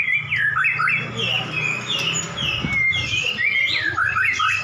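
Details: Two caged white-rumped shamas, prize-winning birds brought together to duel, one answering the other at once; loud, varied whistled phrases with rising and falling slurred notes and quick twittering runs, overlapping continuously, with a low hum underneath.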